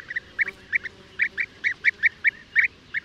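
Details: Clear, spaced European bee-eater calls, with single and doubled rolling notes about every quarter second and little background noise.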